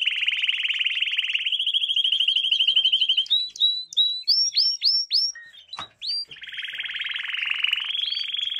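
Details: Canary singing as a lesson for young canaries; fast repeated trills shift pitch, then a series of clear upslurred whistles about every half second, a sharp click, and a final rolling buzzy tour.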